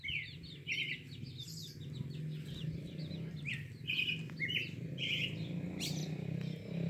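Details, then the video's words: Pale-breasted thrush singing: short whistled, warbling phrases with quick trills, given in a loose series over a steady low hum. "Canto da sabiá coca"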